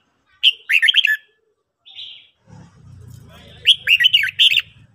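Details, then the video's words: Red-whiskered bulbul in morning song training, two quick warbled whistled phrases separated by a soft buzzy note, with a low muffled rumble in the gap. "luyện chào mào hót buổi sáng"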